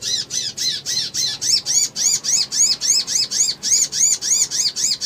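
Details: Male Crimson sunbird in a ngriwik, ngleper and trotol style lure recording meant to provoke emotion and quick response: a continuous rapid series of sharp high arched notes, about three per second, steady and loud throughout.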